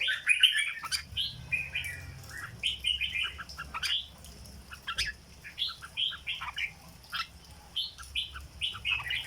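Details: Caged red-whiskered bulbul singing in the legendary 'dok' style: bursts of short, bright warbled notes in quick clusters with brief pauses, some faint chirps and low background hum.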